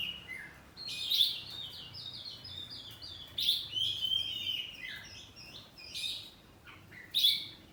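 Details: Home-kept oriental magpie-robin, kacer poci type, in open ngeplong singing with call-and-answer exchanges. Bright whistled notes and chattery bursts come in clusters across several seconds, separated by short pauses.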